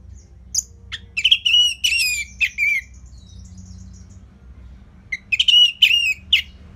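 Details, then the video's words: Orange-headed thrush delivering a calm, steady training song for other birds. Harsh, squawky slurred phrases at moderate pitch come in two bursts separated by a quiet gap of about two seconds. "Dipancing Dengan Kicauan ANIS MERAH Gacor Selow"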